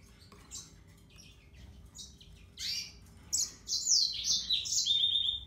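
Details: Yellow-fronted canary, Serinus mozambicus, singing: faint scattered chirps early, then louder high twittering phrases and a sustained high trill near the end, over a low constant hum.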